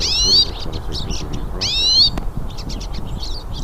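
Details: Hooded siskins, several singing in nature, give two clear upward-sliding whistles about a second and a half apart, followed by softer scattered chirps.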